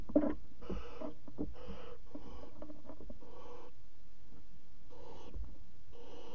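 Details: Barn owl chicks in a nest box at night, 22:00 on 5 August 2017, while flapping their wings: a string of harsh, breathy hisses about half a second long, repeated roughly every second, with faint knocks and scuffles between them.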